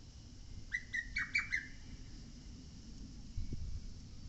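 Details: On Mount Oike a lesser cuckoo gives one fast whistled phrase of about five notes, rising at the start and staccato after, followed by near-silence and a dull low thump.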